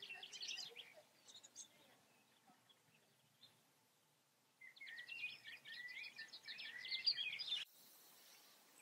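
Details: European goldfinch (Carduelis carduelis) song in the Eifel, Germany: a brief high tinkling phrase, a pause, then a fast, liquid twittering run of bright notes.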